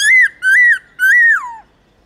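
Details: Song of a black-throated laughingthrush, played to encourage pet birds to sing: three loud, pure whistles, the first two short and level, the last longer and sliding down at its end.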